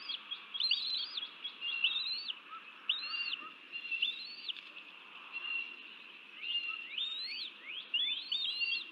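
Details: Bald eagle at a nest feeding its chicks, 30 January 2024, in a 2000-acre man-made wetland southeast of Dallas, Texas: high, thin arched chirps in quick runs of several notes, repeated through the clip over a soft background hiss.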